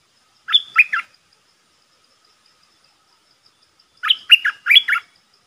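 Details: Red-whiskered bulbul used as a decoy to draw in a territorial wild rival: a warbled phrase of three slurred notes, then after a pause a longer phrase of four bright, bubbly whistled notes.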